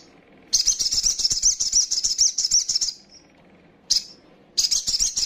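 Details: Young female little spiderhunter calling to provoke rival birds: a long, rapid, high-pitched chattering trill of about two and a half seconds, then a single sharp note and another chattering burst.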